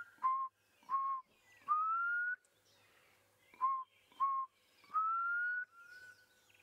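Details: Black cuckoo calling at dawn during a sunrise drive on 4 November 2016: a mournful three-note whistle, likened to "I'm so sad", with two short level notes then a long rising one, repeated twice, with faint distant birds behind.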